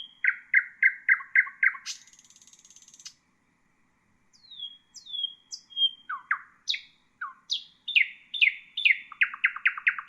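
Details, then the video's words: Song of a common nightingale for training caged bulbuls and songbirds: six loud repeated notes, a high buzzy rattle, a pause, thin descending whistles, then swooping notes building into fast repeats. "تغريد طائر العندليب"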